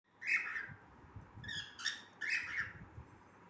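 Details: Cockatiel singing: three bursts of whistled, chirpy notes with bright overtones, separated by short gaps, over a low background hum.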